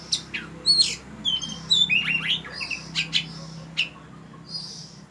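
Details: Oriental magpie-robin from Ban Wat Phra Koet, Phatthalung, Thailand, giving soft, somewhat distant whistles and short sweeping notes at irregular intervals over background hiss.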